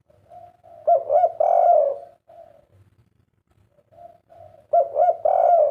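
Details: Kept spotted dove cooing: two phrases of throaty, mellow coos, each with quick stuttering notes rising into a longer, fuller drawn-out coo, separated by about two seconds of soft, quieter cooing.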